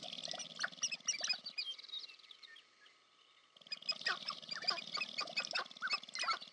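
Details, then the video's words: Sharp-tailed grouse courtship display at the American Prairie Reserve, Montana, USA: fast low buzzy rattling trains mixed with sharp clucks and short whistled notes, a brief lull midway, then dense overlapping calls and rattles again. "Sharp-tailed Grouse Courtship Display"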